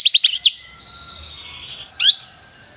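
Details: Canary song meant for training a young singer: a quick burst of four or five bright chirps, then a long steady high whistle with a faint hum below, ending in a short rising slurred phrase.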